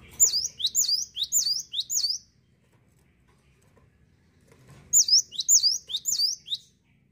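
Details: ['A cinereous tit sings a burst of five high, repeated two-part whistles, pauses nearly three seconds, then repeats four more identical sweeping phrases.']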